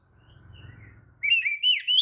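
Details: Oriental magpie-robin lure song used to stir other magpie-robins into answering: after a second of faint low murmuring, a loud, clear whistled phrase of three rising, slurred notes bursts in.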